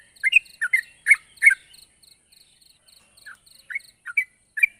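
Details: Lively yellow-vented bulbul calling a rival, played to lure others down to a trap: a burst of loud chattering chirps, then a quieter gap and scattered single notes, over a soft high repeated ticking.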